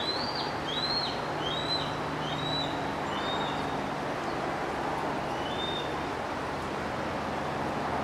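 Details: A Bald Eagle eaglet, perched beside its mother at Turtle Bay on a cool evening, 14 July 2011, gives a quick series of thin, high, down-slurred chirps, a few each second, then pauses, over a steady low hum and hiss.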